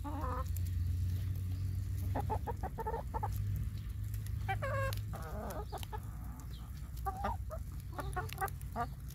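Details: Chickens fed corn on a rainy day: a flock gives short harmonic clucks and bursts of quick stacked notes, several birds overlapping at an irregular pace over steady low rumbling background noise.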